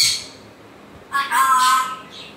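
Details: A short, strained squawk from an African grey parrot with a tonal, buzzing quality, preceded by a fainter harsh note.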